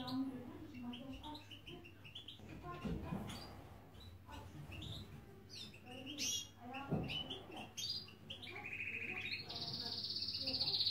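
European goldfinch singing a fast, tinkling twitter of high chirps that ends in drawn-out buzzy notes, with a low hum behind.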